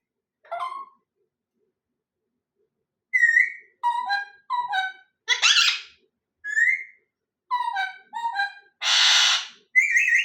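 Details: Parrot calling indoors, mixing short harmonic whistles, some falling and some level, with two harsh broadband squawks; calls come in irregular bursts after a quiet opening second.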